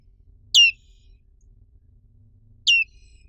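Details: Two high, bright down-slurred chirps from a black-capped white-eye (pleci black capped), about two seconds apart, with near silence between them.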